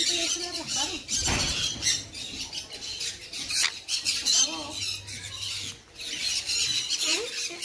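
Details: Sun conure giving harsh, grating squawks in dense bursts, with a strong screech near the start and more rasping calls through the middle, over a constant hissy high chatter.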